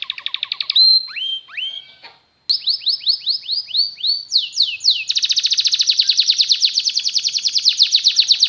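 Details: Varied canary song for teaching canaries to sing: a pulsed trill, then upswept whistles and a brief silence. Looping notes and steep sweeps follow, ending in a long, rapid, even trill.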